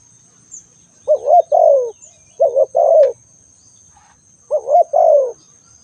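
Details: ['Spotted dove calling: three two-part coos, each a short rising-falling note and a longer descending one, spaced over about two seconds; a steady high whine runs throughout.']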